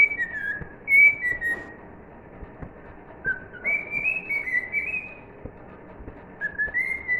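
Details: Cockatiel whistling the tune "If You're Happy and You Know It": clear tonal phrases, some gliding down, others stepping upward, with short pauses between bursts; faint low background hum.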